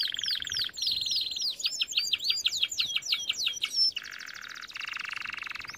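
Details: Canary singing as training material, varied tours of fast repeated notes: buzzy trills, a series of sharp upswept chirps, then low rattling rolls repeated in steady blocks.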